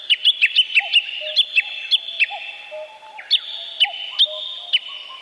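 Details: Forest birdsong with a few birds overlapping: rapid series of bright, sharply falling whistled notes, some in quick runs, mixed with occasional lower soft whistles over a constant high background hiss.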